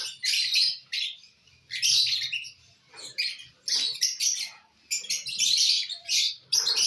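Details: Lovebirds eating corn on 18 December 2022; loud raspy chattering bursts about a second long, alternating with quieter gaps holding soft low rustling and knocking.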